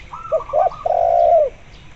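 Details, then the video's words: Spotted dove in lively voice, accompanied by a local zebra dove for luring. A higher, rapid, stuttering coo series overlaps two short low notes, then a long, smooth, low coo follows. "tekukur gacor di iringi suara perkutut lokal gacor untuk pancingan"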